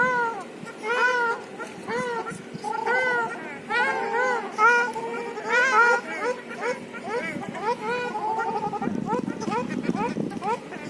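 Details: Ruddy shelducks calling in northern Moscow, Russia: a rapid, continuous series of loud nasal honks, each bowed in pitch and roughly one per second, overlapping at times as several birds call, with low rumbling noise near the end.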